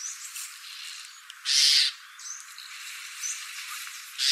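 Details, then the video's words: Common starling song with a loud, harsh, hissing rasp lasting under half a second, surrounded by faint high squeaky notes and brief whistles. "Скворец. Часть 2. Голоса птиц"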